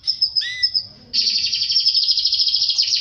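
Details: Canary song tied to mating with a female: a high whistled note with a brief falling slur, a short pause, then a long, fast, buzzy trill of rapidly repeated notes held at a steady high pitch.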